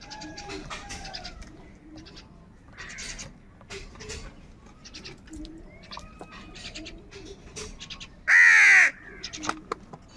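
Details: Morning crows squabbling over food; a single loud, hoarse caw near the end stands out above a busy background of faint chirps, whistles and twitters from other birds.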